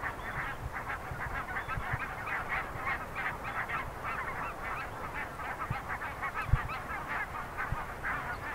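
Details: Goose colony with a small polar bear cub among the birds: many geese honk at once, producing a steady stream of rapid, overlapping nasal honks with occasional low thumps in the background.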